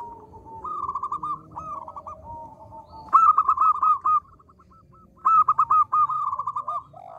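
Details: Local zebra dove, actively singing in a small voice as a calling lure: a soft opening run, then loud bursts of fast clipped notes, with lower cooing notes between them.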